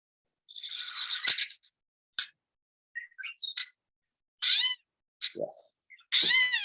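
Gray Catbird song: a jumble of short, varied phrases, scratchy, squeaky and whistled notes with pauses between, including a mewing, cat-like note.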